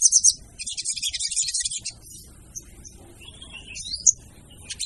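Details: Female crimson sunbird lure call: a short, dense, high chattering burst followed by a few isolated sharp chips and a thin descending squeak.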